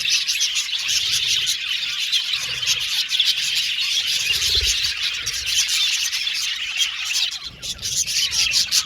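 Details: Budgerigars in an aviary colony, a dense continuous warble of overlapping chirps and squeaky notes from many birds at once, steady in loudness throughout with no pauses.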